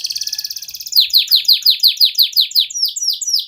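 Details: Canary in full 'cuit-cuit' song, used to spur other canaries to sing: a fast high trill gives way to sharp down-slurred whistled notes repeated about four times a second.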